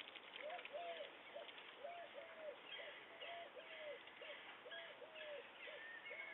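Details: Disabled white storks' chicks being fed by a man, 28 May 2022, at a pond in Kozubszczyzna, Poland: short, arched, mewing notes in a steady run, about two every three seconds, over broad hiss with faint higher whistles.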